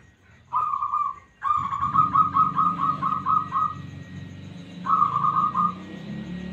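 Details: Smooth-voiced local zebra dove song, used as a lure to set other doves singing: a short trilled coo, then a long beaded phrase of rapid bubbling notes, and another trilled coo, over low rumbling background noise.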